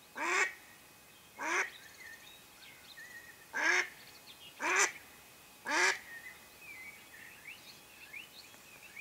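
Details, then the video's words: Mallard hen used by hunters to attract ducks, uttering six spaced, rasping quacks roughly one to two seconds apart, with soft chirping birds in the background. "Ducks hunting by mallard Hen"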